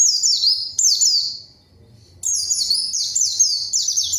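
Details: White-eye (pleci) used as a lure to provoke a rival and get silent birds singing: bursts of high, sweeping notes that slide downward in quick series, pausing about a second between phrases; faint low hum beneath.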